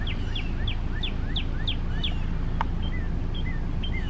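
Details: A male northern cardinal sings, recorded with a Canon Powershot sx70 hs: a fast run of about eight clear, down-slurred whistles, then slower, lower slurred notes, all over a heavy low rumble.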